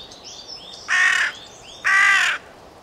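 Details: Carrion crow giving two loud, harsh, broad-band caws about a second apart, each lasting roughly a third of a second, with faint high chirps of small birds in the background.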